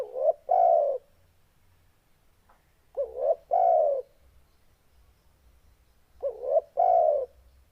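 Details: Spotted dove with a big, bass-toned voice repeating its low call three times. Each phrase pairs a brief upswept note with a longer, smooth coo, spaced about three seconds apart; the background is quiet.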